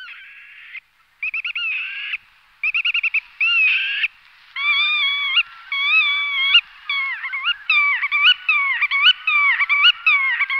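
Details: Black-tailed godwit (Limosa limosa) giving loud, nasal, harmonic calls, first buzzy bursts, then repeated rising-and-falling wicka notes about every second; no other sounds.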